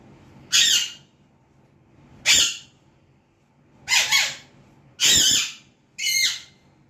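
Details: Pet Alexandrine parakeet beginning to talk, giving five loud harsh squawking syllables spaced about one to one and a half seconds apart, broad and raspy, one of them doubled, in a quiet indoor room.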